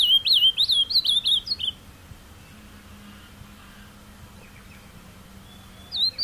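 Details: A caged ultramarine grosbeak sings carapuça-style song outdoors. A rapid run of about eight clear, looping whistled notes lasts under two seconds, followed by several seconds of faint ambient hush before a new phrase begins.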